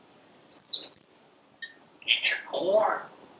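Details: Pet parrot on a screened back porch, chattering while watching squirrels and birds: a high whistled note sliding slightly, then a short chirp and a burst of speech-like garbled syllables.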